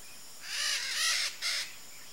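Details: Free-flying red-shouldered macaw among Brazilian Pantanal wildlife, giving three harsh, grating screeches in quick succession, the middle one longest, over quiet background hiss.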